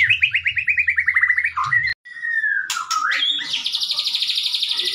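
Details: White-rumped shama giving kretekan song for training: a descending series of quick repeated notes, a brief gap, a slurred whistle, then a long fast high rattle.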